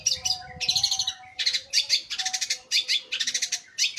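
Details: Long-tailed shrike described as singing constantly day and night, giving dense rattling, grating phrases broken by short pauses, each burst packed with fast stuttering elements, a faint low tone running behind.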